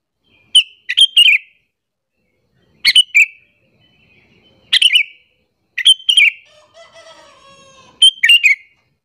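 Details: Sooty-headed bulbul giving calls used to lure and agitate other bulbuls: groups of two or three bright chirps spaced about two seconds apart, plus a faint lower harmonic buzzing note mid-clip.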